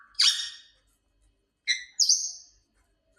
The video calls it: grey parrot so beautiful and amazing sound